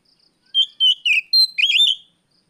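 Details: Oriental magpie-robin singing in the afternoon as a lure for training other birds: loud, clear whistled phrases, a few level notes followed by a slurred, warbling rising-and-falling run, in otherwise quiet surroundings.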